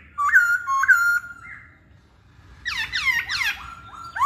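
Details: Masked laughingthrush singing energetically: two clear fluted whistles with a wavering start, a pause, then a rush of steeply falling swooping notes and a final rising whistle.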